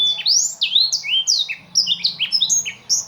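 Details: Blackthroat, an imported small songbird kept caged, delivering continuous song of quick, high, sweeping whistles and bright slurred notes tumbling one after another without stopping.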